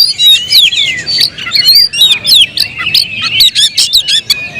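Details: Kept Oriental magpie-robin singing loudly: a dense, rich stream of varied whistles, rising and falling slurs and sharp chirps, delivered almost without pause.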